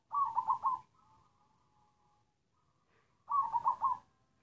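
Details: Black zebra dove from the wild, cooing in a halting coughing style: two low, stuttered four-note phrases about three seconds apart, each trailing into a faint wavering tail.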